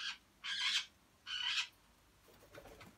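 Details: Captive grey parrots kept together as a group of four: a short harsh burst, then two loud buzzy squawks of about a third of a second each, separated by a quiet pause, followed by faint rustling.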